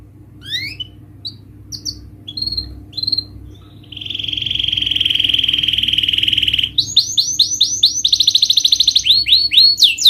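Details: Canary song used as a lure to stimulate reluctant, stressed birds to sing: scattered high chirps, then a long steady buzzy trill, then fast repeated rising sweeps, with a faint low hum.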